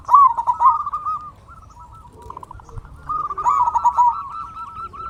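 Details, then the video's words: Lure song of a local Indonesian zebra dove, played to make other doves sing: two loud bursts of rapid, rolling coo notes separated by a quieter stretch of trilled cooing and faint low calls. "Perkutut Lokal Gacor RAJA PIKAT Ahlinya Bikin Semua Burung Perkutut Gacor Nyaut"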